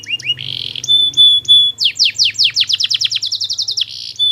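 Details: Canary song used as a long tutor recording to prompt other canaries to answer: whistled notes, then a fast series of descending sweeps accelerating into a rapid trill, with a low hum underneath.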